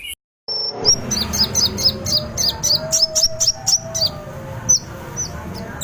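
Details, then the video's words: Olive-backed sunbird delivering fighter-style song: a fast, repeated series of sharp, very high chips, about three per second, over a steady low hum and background sounds. "KONIN FIGHTER"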